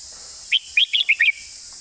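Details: Red-whiskered bulbul giving a single 'master song' phrase: five fast, clear, rising-and-falling whistled notes in under a second, over a constant high hiss in the background.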